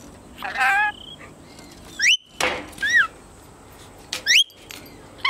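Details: A ten-month-old male red-collared lorikeet that talks mimics speech in a short wavering phrase, then gives sharp rising-and-falling whistles and harsh screechy bursts about a second apart.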